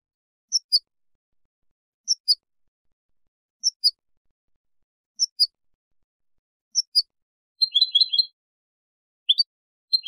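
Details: European goldfinch on a copia tutoring tape for teaching young goldfinches and hybrids: paired high, thin chirps repeated about every one and a half seconds, ending with a brief twittering burst, in clean silence.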